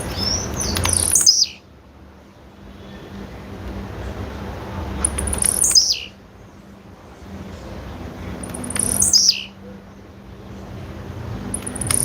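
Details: Female blue-black grassquit repeating a high, steeply descending call with a buzzy tail about every four seconds, three full calls and the start of a fourth, over low steady rural hum.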